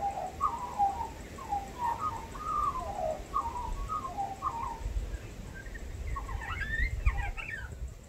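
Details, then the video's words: Mimicking female Australian magpie with a repertoire of copied dog and bird sounds gives a series of mellow warbled phrases repeated about every half second, then a tangle of higher twittering notes, with steady low background rumble. "Magpie Mimics Dogs/Birds"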